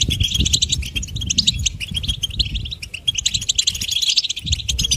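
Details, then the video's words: A goldfinch sings a fast, continuous tinkling twitter of bright, high notes throughout, over a low rumbling background. "Goldfinch: A Bird of Beauty and Song"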